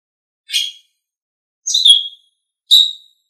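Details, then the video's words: Three short, sharp calls from an Asian pied starling, a bird used for training, with gaps of one second or more between them. "SUARA BURUNG - Masteran Terbaik Jalak Suren"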